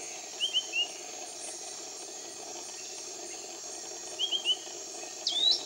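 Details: Piratic flycatcher calling in tropical rainforest near Iquitos, Peru: two quick groups of three short chirped notes a few seconds apart, then a sharp rising whistle, over a steady high insect drone.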